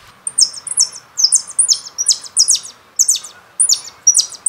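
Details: Continuous jilguero song from a CD: quick, bright, high-pitched phrases of twittering and down-slurred buzzy notes, repeated in rapid succession with short gaps throughout.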